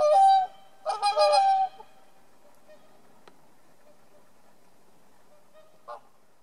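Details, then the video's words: Whooper swans defending their territory at Niilesjärvi, Oulu, Finland, on 24 April 2017 give loud, bugling honks, one blast and then a quick run of trumpeting notes, followed by a fainter call near the end. "Cygnes chanteurs / Whooper swans / Laulujoutsenet"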